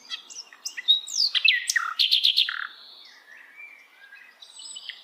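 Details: Wild flycatcher (sikatan londo) singing in forest: a fast, varied burst of high whistles, sharp downslurred notes and a quick trill of clipped chips, then softer rambling warbles fading out.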